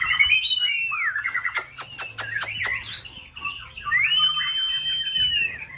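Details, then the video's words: White-rumped shama, a caged contest singer in full season, pours out a loud whistled phrase and a sharp run of clicking ticks. It ends on a long, bright whistle that rises and then holds steady, over a faint low hum. "Kích chòe lửa bông hót đa diện"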